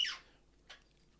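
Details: In a March early-morning dawn chorus, a rainbow lorikeet gives a harsh, high, scratchy squawk, then a shorter rasp about half a second later, in a quiet setting.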